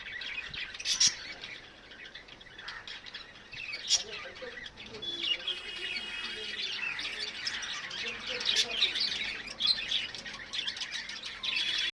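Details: Terrace-top bird chorus, many birds calling at once: busy high chirps and tweets mixed with sharper squawks, rising and falling in intensity, with brief louder bursts near the start and end.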